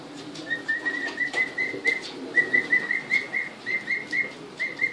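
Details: Two-week-old emu chicks, newly arrived and getting their first glimpse of the house, recorded 24 February 2013: a run of short, clear whistled peeps at one steady pitch, repeated about four times a second in bursts, with faint background rustling.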